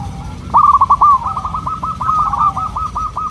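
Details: Local zebra dove giving a long rolling song: a loud stuttered coo phrase that runs on into a steady rapid string of short, evenly repeated coo notes.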